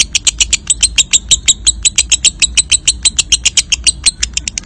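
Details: Long ngekek song of a lovebird, played as a stimulus for other lovebirds in contest: a steady stream of harsh, bright clicking notes repeated about seven times a second throughout, over a low background rumble.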